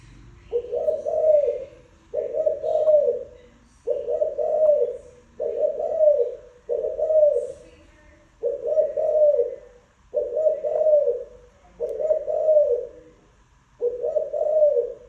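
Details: Spotted dove cooing, a soft low coo phrase repeated about every 1.8 seconds, nine phrases in a steady series, each a short warbled hoot, with faint chirps from other birds in the background.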